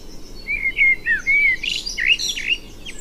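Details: Common blackbird (Turdus merula) singing: a run of low, mellow fluted whistles sliding around the middle register, then a burst of higher, scratchy twittering notes, over a soft steady background hiss.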